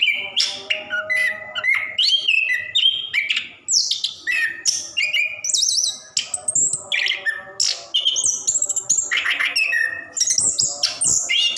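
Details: Orange-headed thrush, a caged bird singing a long, busy 'ngerol' song used to prompt reluctant birds to sing: a rapid run of whistled and buzzy phrases jumping between low and very high notes, with a faint indoor hum beneath.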